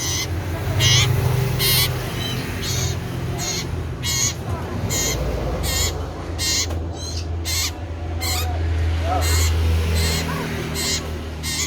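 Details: Common iora calling loudly and persistently: a long, steady series of short, harsh, overtone-laden notes, roughly three or four a second, with a constant low drone underneath.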